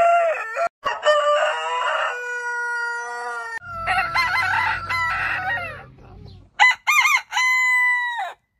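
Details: Heritage-breed roosters crowing one after another: a long, level crow, then a rougher crow over low rumbling background noise, then a short stuttered crow ending in a held, slightly falling note.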